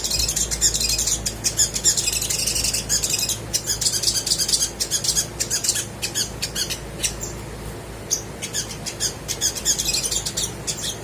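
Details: Vigorous crimson sunbird song played to make quiet birds join in: long stretch of rapid, very high chattering chirps and ticks, thinning to spaced sharp notes near the end, over a low hum.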